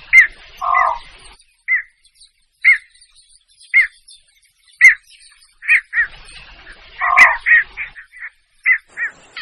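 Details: Javan pond heron calls used as a hunting lure in Indonesia: short downward-curving squawks repeated roughly once a second, with a few lower, harsher croaks mixed in.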